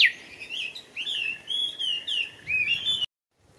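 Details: Japanese bush warbler singing in Showa Kinen Park, Japan, on 10 April 2021: a loud, unbroken run of clear whistled slurs, rising and falling, lasting about three seconds before the sound cuts off abruptly.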